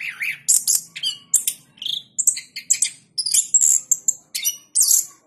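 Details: Orange-headed thrush, a caged champion of the president's cup in Jogja, with a 'gacor ngeplong' song of mixed mid and very high notes: fluid whistles, sharp ticks and short trills run together with barely a pause.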